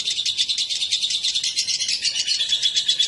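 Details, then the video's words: Lovebird pair, a male and female brought together, chattering in a dense, continuous stream of rapid high chirps and squeaky notes, strongly pulsed at about three per second, with faint background noise. "Kicau burung//Jika raja dan ratu di pertemukan"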